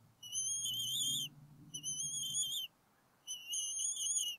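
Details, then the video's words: Adult bald eagles at their Berry College nest, NW Georgia, on 8 April 2018, vocalizing while an intruder is chased away; three sustained, slightly wavering high whistles with short breaks, and a faint low hum beneath. "Intruder around the nest"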